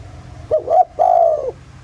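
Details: A single coo phrase from a spotted dove in the 'giọng thổ' voice, played as a lure to set off other doves: a short wavering double note, then a long level hoot, over a constant background hum.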